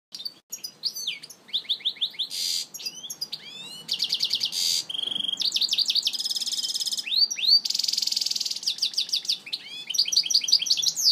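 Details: A European goldfinch in Algiers on a hot day sings a fast, tumbling run of high twitters, liquid trills and buzzy notes, nearly without pause and with no other sounds.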